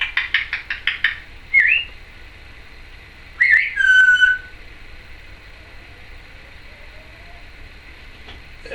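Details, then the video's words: Female Timneh African grey parrot kept as a pet, making noises: a quick burst of clicks, then a short rising whistle, then a squawk that slides into a clear, falling whistle. "Timneh African Grey... chattering and noises"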